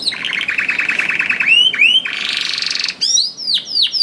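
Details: Canary in full song, used as a lure to get reluctant canaries singing: rapid buzzy trills at mid pitch, then swelling upslurred whistles and a dense high rattle, ending in repeated sweeping whistled notes.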